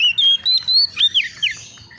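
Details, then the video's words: Brief burst from an excited young Oriental magpie-robin looking for a rival: long clear whistles rising and falling, then downward-curving slurred notes fading out. "SEKETIKA ITU KACER BAKALAN LANGSUNG NYAUT EMOSI KONSLET!!!burung Kacer cari lawan"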